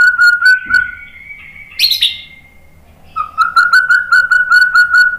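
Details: White-rumped shama song used to provoke other shamas into singing: long steady whistled notes, a brief rising buzzy phrase, a pause, then a run of repeated whistled notes pulsing quickly.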